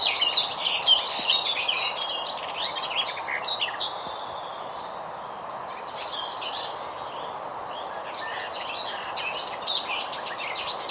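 A Garden Warbler sings a long, even, rambling warble of rapid mid-to-high notes that runs on with only a brief lull, over a steady background hiss.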